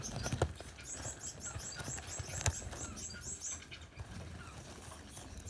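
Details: Four yellow Gouldian finch chicks in a nest beg with rapid, very high, thin squeaks in quick bursts for about four seconds, over low thumps and rustling.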